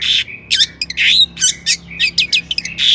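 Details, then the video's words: Lively long-tailed shrike song meant to provoke other shrikes into singing: loud rasping bursts mixed with thin rising whistles and clipped chirps, packed closely over a few seconds. "suara cendet gacor PALING DI MINATI,, PANCINGAN CENDET AGAR BUNYI"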